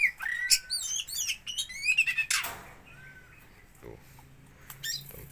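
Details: Oriental magpie-robin from Aceh, Indonesia, giving about two seconds of quick, varied high chirps and whistled phrases, then a burst of rustling and near quiet with a few faint later notes.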